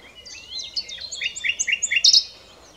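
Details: Common nightingale phrase with a tangle of high sliding whistles, then a crisp run of repeated short notes rising in loudness and ending on a sharp high accent.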